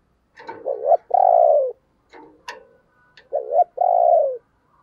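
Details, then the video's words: Spotted dove used as a decoy to make other doves coo, calling twice with deep two-part coos, each a wavering short note then a sustained falling hoot, separated by light clicks and taps. "Tiếng Chim Cu Mồi dùng Kích Bổi Hiệu Quả Mở Là Gáy"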